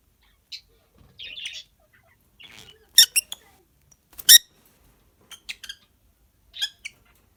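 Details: Rosy-faced lovebirds chirping in a breeding colony with young, scattered sharp squeaks and brief harsh squawks separated by short silences, some notes clustered in quick pairs.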